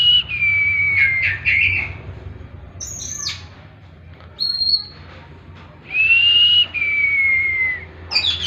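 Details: Oriental magpie-robin (kacer) song of long, pure whistles that fall slowly in pitch, separated by brief harsh chips and pauses, over a faint low background hum.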